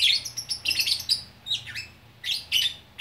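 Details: Lovebird from Bukittinggi, West Sumatra, singing gacor orkestra style. Piercing, squeaky chirps and twitters, including one falling whistled squeal, come in short clumps with a faint background hum.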